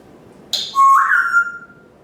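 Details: Captive parrot perched on its kitchen stand in the morning, giving a brief click then a clear rising whistle that holds steady and fades out over about a second.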